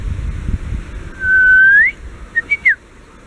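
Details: Japanese bush warbler answering with a long whistle that swells and rises at its end, followed by three quick clipped notes, the last sliding downward.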